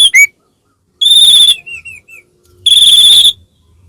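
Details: White-rumped shama kept in a cage, singing to provoke another bird: two loud sustained buzzy whistles separated by a few soft slurred notes and a short pause.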